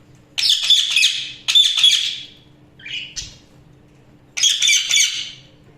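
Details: Budgies chattering in short, harsh, buzzy bursts of about a second, separated by silent gaps, with one softer brief squawk in the middle; a faint low hum sits underneath throughout.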